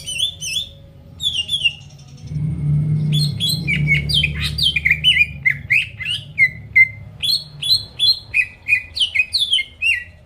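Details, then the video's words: Greater green leafbird song meant to goad rivals into singing: clear whistled slurs, a pause with low room hum, then a long series of quick downslurred chirps in rapid succession. "PANCINGAN CUCAK IJO GACOR BUKA PARUH BIKIN LAWAN CEPAT ON LANGSUNG EMOSI DENGAR SUARA INI"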